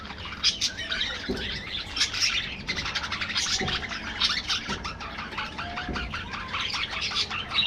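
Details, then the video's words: An aviary colony of budgies keeps up busy overlapping chirps and warbles, with a few brief lower notes and scattered soft rustles between the high twittering. "budgies bird"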